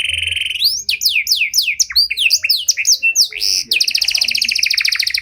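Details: Panda canary with an elaborate song meant to draw out and coach other canaries: a steady whistle, a sequence of swooping downward notes, then a fast, even, buzzy trill closing the phrase.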